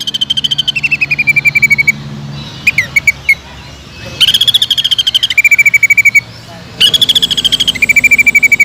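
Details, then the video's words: Greater green leafbird in strong song to lure other leafbirds: fast rattling trills that drop from a higher to a lower pitch, broken by a few quick separate chips, then two more rattling bursts. "BEARAPI API...!!!TEMBAKAN PEDAS CUCAK IJO GACOR BUAT MANCING CUCAK IJO LAIN AGAR JAMTROK"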